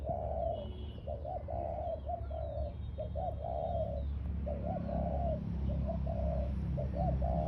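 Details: Ground-decoy spotted dove giving about four repeated cooing phrases, soft bouncing notes running into a longer level coo, over a constant low rumble of background noise.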